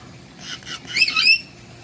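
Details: A pet Cape parrot (Poicephalus robustus) squawks from its owner's shoulder indoors: a harsh, high call lasting about a second, with rising and falling raspy notes; otherwise quiet.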